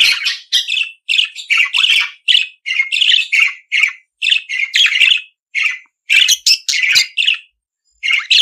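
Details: Australian budgerigar singing: a lively run of short, harsh chirps and squawky notes, about two per second, with brief gaps between bursts, high and scratchy throughout.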